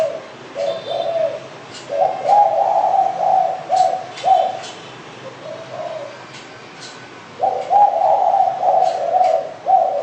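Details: Spotted dove calling in repeated phrases of soft, hollow coos, two long runs separated by a lull, with scattered sharp chirps of small birds in the background.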